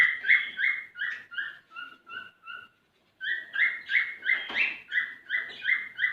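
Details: Courting male cockatiel singing to a female, a string of clear whistled notes about three per second, broken by a short silence midway, then resuming louder with a brief rough burst.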